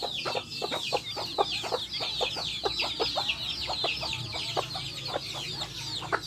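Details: Backyard hens with chicks, high falling chick peeps in a steady chorus punctuated by short, sharp hen clucks repeated many times.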